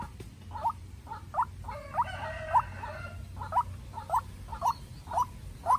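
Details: Croaking repeated notes of a White-breasted waterhen, a young farm-raised decoy in a tense contest with a wild bird, with a rooster crow overlapping near the start, then calls resuming at a steady pace.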